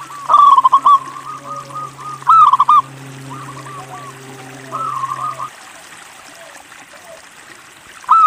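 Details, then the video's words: A local zebra dove gives a short rolling coo phrase, then another, followed by quieter trilled notes over a low steady hum. A last phrase begins at the very end. "MASTERAN PERKUTUT LOKAL GACOR UNTUK MACET BUNYI LANGSUNG NYAUT"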